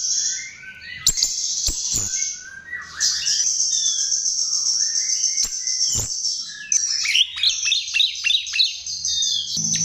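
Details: Lure recording of chestnut-tailed starling singing: a sustained high, hissing twitter with quick chirps and falling whistled notes below, ending in a burst of sharp descending squeaks.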